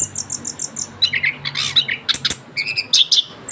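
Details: Caged young orange-headed thrush after its moult, a rapid run of high repeated chirps followed by a jumble of whistled and buzzy notes.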